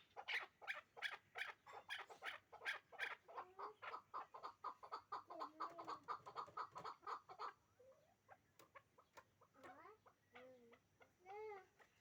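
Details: Hybrid chukar partridge pair kept for breeding: a rapid run of harsh, clucking chuk notes about four to five a second for seven seconds, then scattered softer rising and falling calls.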